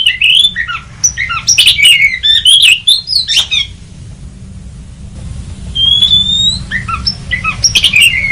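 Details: Kacer, the oriental magpie-robin, as a lure sound for trapping; rapid varied chirps and squeaky notes, a long clear rising whistle later, over a low rumbling hum.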